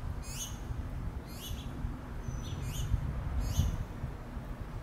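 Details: Finch nestlings begging their mother for food: clear high rising chirps repeated roughly every second, with soft fainter notes between, over fairly loud low-pitched noise.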